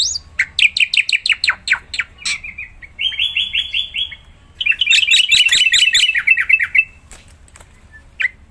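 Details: Black-winged myna (Javan white starling) in lively, vigorous song, used to prompt other mynas to sing: rapid series of harsh downslurred notes, then buzzy rattling trills and a chattering burst of squeaky, mixed notes, ending with a lone sharp note.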